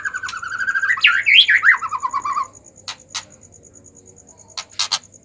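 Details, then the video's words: White-rumped shama in an agitated mood, played to coax idle shamas to sing: a fast buzzy trill that rises, breaks into loud swooping slurred notes, and falls away, followed by scattered sharp clicks. "pancingan murai batu emosi"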